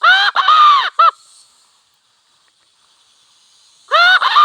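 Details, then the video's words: Red junglefowl, a wild cock near a village, giving a loud, rough crow made of a stuttered start and a drawn, descending cry. A short pulsed note follows, then a pause and another crow. Faint insect hum underneath. "Sound of wild hen and cock"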